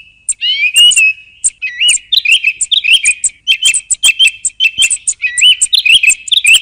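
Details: Song thrush song opening with a long rising whistle, then rapid chirps and short whistled notes repeated in quick succession.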